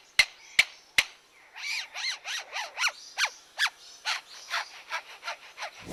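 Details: Superb lyrebird from Australia mimicking other birds and mechanical sounds in a male's display song: three sharp shutter-like clicks, then a rapid series of looping, rising and falling whistled notes.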